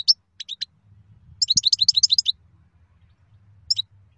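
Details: European goldfinch singing: high, tinkling twitters and short chirps, a few isolated notes first, then a rapid liquid burst of jumbled notes for about a second, and a final chirp. A faint low hum runs underneath.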